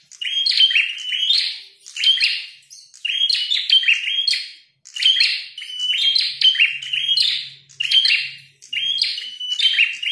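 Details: Red-headed prenjak in a fight, singing loudly: repeated clusters of thin high whistles and scratchy buzzing trills, coming in waves roughly every one to two seconds over ten seconds; a faint low hum is also heard.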